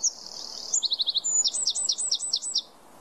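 A wren's loud, high song: a rapid ringing trill, then fast bursts of sharp, tumbling notes, about eight in the final second.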